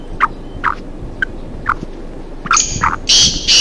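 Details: Pair of black francolins wandering free in a forest: soft, spaced clucking notes build into loud, rasping, grating bursts near the end.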